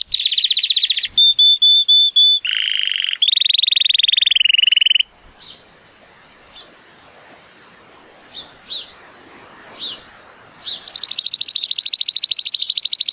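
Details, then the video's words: Male Timbrado Español canary, 83 points, born 2018, singing in sunshine: a trill, steady piping whistles, a low buzzy roll, a brief stretch of soft scattered chirps, then a high metallic trill. "The most PLEASANT Canary training song"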